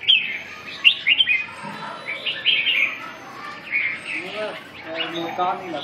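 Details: Red-whiskered bulbul giving lively warbling phrases, a few sharp chirps early on, then slurred rising and falling notes, ending in softer chattering over a quiet background.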